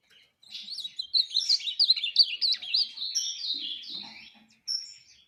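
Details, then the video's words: Ultramarine grosbeak singing a fast series of looping, up-and-down whistled notes that blur into a flowing phrase, then a brief high whistle after a pause. "Azulão Flash"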